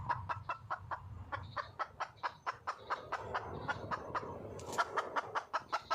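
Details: A wild red junglefowl hen calls for a mate with continuous rapid clucking, about four notes a second throughout, some notes with a higher harsher edge; low-frequency rumble underneath.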